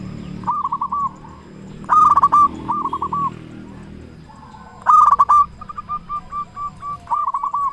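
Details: Zebra dove of local stock, loud and frequent singer, a lure for stimulating other doves: several short rolling coo phrases and one louder burst, followed by a string of quick, soft repeated notes.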